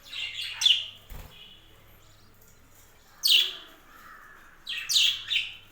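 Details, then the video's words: Budgerigars on a home budgie farm calling with scratchy, high chirps that sweep downward, three bursts spaced a couple of seconds apart, a soft thump and low hum in the background. "My budgies farm"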